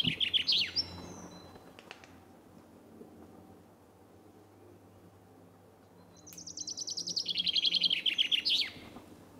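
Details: Common chaffinch: the tail of one song, then about four seconds of near silence, then a complete phrase. Rapid repeated notes descend steadily and end in an emphatic flourish.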